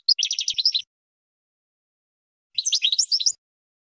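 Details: Two short bursts of rapid, tinkling European goldfinch twittering, separated by about two seconds of silence, from a recording for teaching birds to sing; high, bright and clean.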